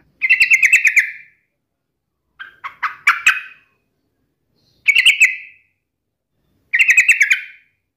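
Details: Challenging yellow-vented bulbul taunting a rival, a call meant to trigger an emotional answer. Four well-separated bursts of fast, buzzy, bubbling notes, each lasting about a second, with silences of one to two seconds between them.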